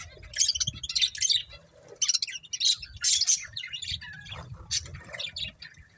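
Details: Budgerigars, a breeding pair, trade short bursts of high chirps and squeaky warbled notes, spaced roughly every half second with brief gaps.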